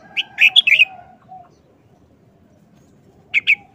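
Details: Red-whiskered bulbul, a cage bird, singing a short, speedy wild-style song: a lively cluster of bright whistled notes, a pause, then two more crisp notes, with a faint low hum beneath.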